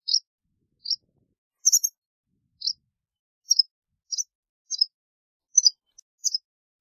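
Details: White wagtail calling with short, high, clipped chirps repeated roughly every half second to second, each a brief sharp tweet. The background is silent.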